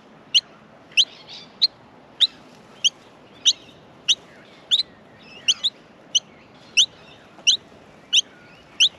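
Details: Australian miner babies begging while being fed in the nest; rapid high chirps follow each other about every half second, with occasional softer mid-pitched notes between.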